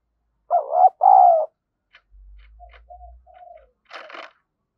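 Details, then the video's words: Spotted dove kept as a decoy to lure wild doves, in the thổ voice style. A loud two-part coo, with a wavering first note and a longer steady second note, is followed by fainter short coos, a brief low rumble and a burst of noise. "Chim Cu Mồi_cu gay kich boi nhanh noi gù"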